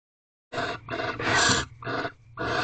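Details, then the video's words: Barn owls mating at night in an owl box in a corral, recorded at 5:23 am on 3/8/23, nineteenth night: harsh, broadband hissing screeches in four long bursts separated by brief gaps. "Barn Owls Mating 19th Night"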